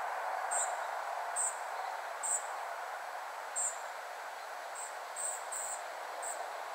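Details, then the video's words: Family of spotted flycatchers calling: thin, very high, short tsee notes repeated irregularly, roughly once a second, some in quick pairs, over a steady broad rumbling background noise. "Family of spotted flycatchers / Rodzina muchołówek szarych"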